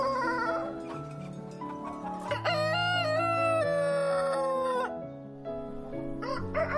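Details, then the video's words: Farm rooster, a domestic chicken, gives a loud drawn-out crow: a rising opening, then a long sustained harmonic note sliding gently downward for about two and a half seconds. Continuous background music plays throughout. "Chicken Farm | Rooster | Hen | Learn Farm Animals |Animals Sound"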